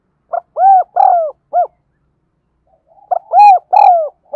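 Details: Spotted dove lure bird giving its thúc gù gáy gọi calling style: a phrase of short hooded coos with one longer falling coo, a pause of about a second and a half, then a second similar phrase; quiet background.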